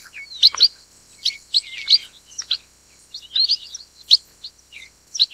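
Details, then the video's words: Black-headed Munia, also called Chestnut Munia, Lonchura atricapilla, from Taiwan; high thin chirps and short squeaky notes come in quick clusters, several per second, with brief pauses between bursts. "黑頭文鳥(栗腹文鳥)/Black-headed Munia(Chestnut Munia)"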